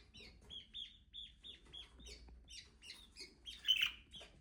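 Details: Budgerigar calling: a quick series of short chirps, evenly repeated about twice a second, followed by denser, rougher twittering toward the end; quiet background.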